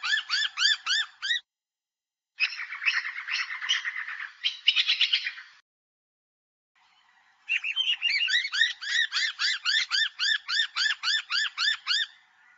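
Noisy miner giving loud, ringing, rapidly repeated arched notes, about four a second, in three bursts, with a harsher chattering stretch in the middle.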